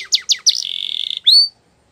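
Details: Canary singing: three quick descending chirps, then a fast, even buzzing trill, ending on a clear, high, rising whistle; no background noise.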